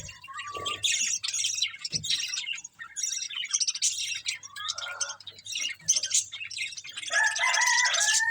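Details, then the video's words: Several budgerigars chatter while feeding on green food: rapid, irregular high chirps and scratchy warbling, with a few short whistled notes rising and falling between bursts of chatter. "Beautiful Budgies Enjoying Eating Green Food | Love Birds Chirping Sounds"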